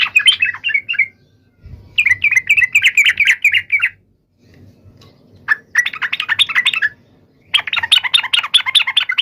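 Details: Rival-calling song of a sooty-headed bulbul: three long, dense runs of lively, bubbling notes repeated rapidly, divided by short quiet breaks, with a faint low rumble underneath.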